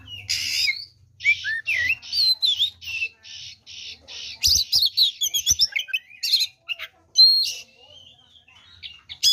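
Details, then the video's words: Oriental magpie-robin fighting song aimed at rivals: a harsh opening note, then evenly spaced buzzy blocks about every half second, followed by a rapid flurry of chips and whistles. "SUARA BURUNG kacer gacor TARUNG FULL ISIAN ini PALING AMPUH MEMANCING KACER LAIN JADI EMOSI"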